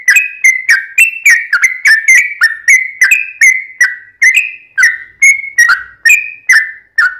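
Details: Long, continuous song of a yellow-vented bulbul, played to lure other birds into answering: liquid whistled notes that slide down, each opening with a sharp click, flowing in an unbroken, slightly irregular stream.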